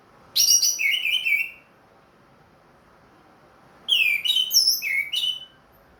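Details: Ringed captive orange-headed thrush, back in song after its moult, giving two bursts of loud, harmonic-rich whistled notes in the clear 'plong' style, separated by a silent gap of about two seconds.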